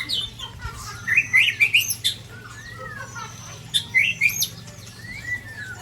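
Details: Sabang white-rumped shama from Aceh, Indonesia, under attack by Ujong Pancu and Tangse shamas, gives bursts of bright chirps and rising whistled notes in quick clusters, broken by pauses and a faint low hum.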